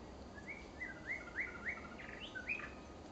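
A female white-rumped shama gives a quick run of clear, varied whistled notes, some rising and some falling, about three each second, over a steady background hiss.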